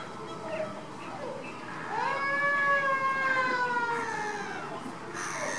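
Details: A Caribbean flamingo gives one long, drawn-out nasal honk that rises slightly, then levels off and fades. Softer calls from other birds come before it.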